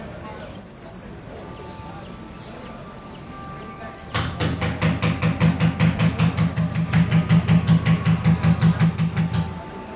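Oriental magpie-robin gives clear, high, down-slurred whistles spaced a few seconds apart, partly covered from midway by a loud, throbbing engine.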